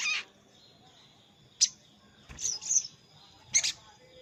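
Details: High, sharp chirps from a crimson sunbird calling a rival, offered as a lure for wild birds reluctant to come down to a trap; isolated notes and a brief doubled burst separated by pauses of about a second.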